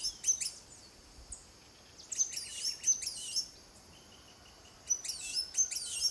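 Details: Costa Rican Blue-and-gold Tanager, filmed in 2021 with a Fujifilm XH1; scattered bursts of high, shrill, down-slurred chirps, with a softer steady whistled note in the middle and a quiet background.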